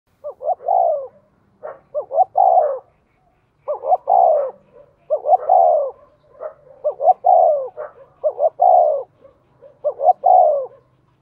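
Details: Captive decoy spotted dove pushed to coo at a fast pace to lure wild doves into answering. Mellow two-note pickup then a long, drawn-out falling coo, phrase after phrase in quick succession, about eight phrases with short gaps.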